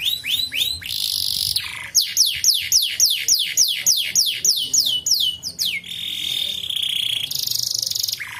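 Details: Canary song used as a lure to stimulate untrained canaries to sing: short rising whistles, then a long series of rapid descending sweeps repeated about three or four times a second, ending in a steady held trill and a buzzy note.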